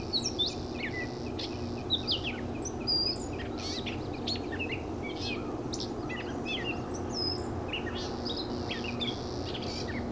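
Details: Gray catbird recorded on 31 May 2015. It gives a quick jumble of squeaky, scratchy chirps and short slurred whistles, some likened to a cat's mew, scattered irregularly over a steady low background rumble.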